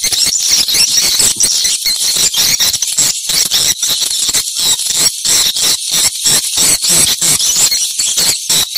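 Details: Swiftlets heard while checking a location: steady, high-pitched, buzzy twittering that pulses with quick, regular breaks throughout, with nothing else clearly audible.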